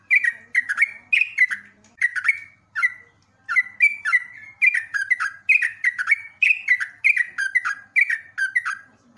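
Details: Lively sooty-headed bulbul song used as a masteran for training caged birds: a steady run of quick, liquid whistled phrases, mostly two-note drops, with a short break around the third second and a faint low hum behind.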